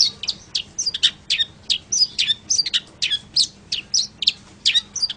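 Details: Long-tailed shrike song for training other birds: a busy, varied stream of quick chirps, scratchy notes and short whistles, packed tightly and continuous throughout.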